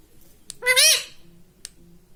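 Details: Talking pet rose-ringed parakeet, trained to say Mummy, Papa and Mitthu, gives one brief bending, nasal harmonic utterance in an otherwise quiet moment, with a couple of faint clicks around it.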